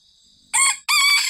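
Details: Rooster crowing in the morning, calling out to wild junglefowl: two loud, harmonic-rich bursts of a vigorous crow after a quiet start, with a faint steady high tone in the background.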